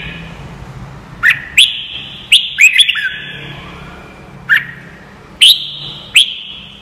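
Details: Red-whiskered bulbul song for training young birds: widely spaced sharp whistled chirps and short phrases, each flicking upward, with gaps of one to two seconds and ringing tails between.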